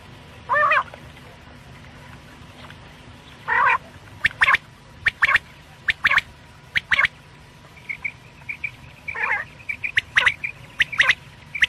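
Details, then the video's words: Quail calling, for night use: a couple of buzzy rasping notes, then irregular sharp clicks and soft piping notes, growing busier toward the end. "quail sounds/ batair ki boli | Batair ki Awaz rat k lia"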